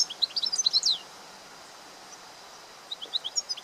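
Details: Goldfinch song outdoors in nature: about a second of rapid, jangling high chirps and trills, quiet gap, then a few softer sparse twitter notes against a low constant background hiss.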